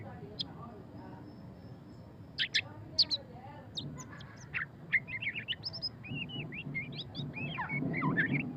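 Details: White-rumped shama (murai batu pastol) in ngeriwik song: a few isolated sharp chips give way to a rapid string of upward-flicked whistled notes, with low rumbling noise building toward the end.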